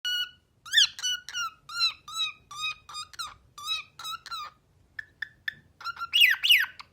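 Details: A talking cockatiel chatters in quick, harmonic syllables that rise and fall, imitating speech in Persian.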